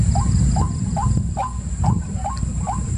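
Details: White-breasted waterhen calling with seven rising, hooked notes about 0.4 seconds apart. A strong low rumble and a thin high whine continue throughout.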